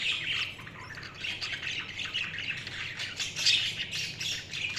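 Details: Continuous budgie chatter, a dense run of scratchy, warbling chirps and squawks with no pauses, steady in loudness throughout.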